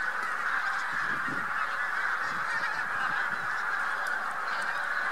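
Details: A huge spring-migrating flock of Taiga bean geese mixed with some white-fronted geese, at Lubiń near Trzemeszno, central Poland, 3–4 March 2018, keeps up a dense, unbroken chorus of nasal honks and cackles that blur together.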